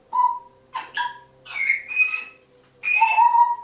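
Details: Two pet African grey parrots perched on top of a kitchen door shortly before bedtime, making winding-down noises: clear whistled notes, short fluttering chirps and a wavering tone, in bursts separated by brief pauses indoors.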